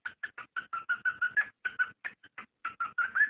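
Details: ['Cockatiel mating call to stimulate breeding: a rapid string of short chirping notes with a few brief gaps.']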